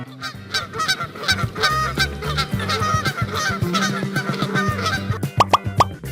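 A flock of Canada geese honking in loud, nasal, overlapping calls, many in quick succession, with a few sharper honks near the end.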